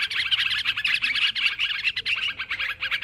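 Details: Short burst of noisy sooty-headed bulbul chatter used for luring: quick, bubbly, overlapping notes rising and falling in rapid pulses.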